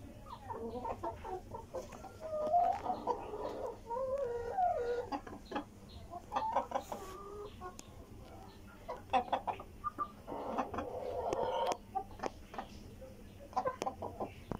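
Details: Tiger chickens being given vegetables cluck and murmur over each other, with short rising and falling calls in bursts, sharp pecking clicks, and a steady low hum underneath.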